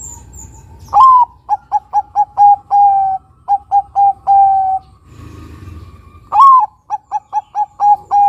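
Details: Bangkok-type zebra dove, perkutut in Indonesian, singing a lure song to attract other doves: loud rising coo followed by rapid short staccato notes and drawn-out coos, phrase repeated three times over low background hum.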